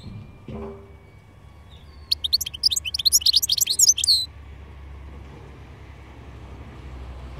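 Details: European goldfinch delivering a single sparkling phrase of quick, twittering, tinkling notes and short trills lasting about two seconds, preceded by a soft thump and followed by quiet with a low background rumble.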